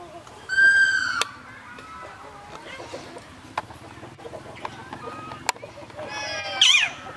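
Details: ['Common hill myna at Phnom Tamao Zoo in Cambodia, a bird said to be able to speak, gives a loud, harmonic, nasal call near the start and a bright warbled phrase near the end. Quiet, soft rustling background in between.']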